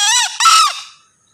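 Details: Male green junglefowl giving a single loud, harsh two-part crow, a brief raspy first note followed by a longer strained second note that fades out within about a second.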